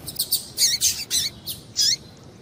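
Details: Female double-collared seedeater call meant to excite males. It gives six high, slightly buzzy chirps in quick irregular succession. The later notes are louder and longer, and the background is otherwise quiet.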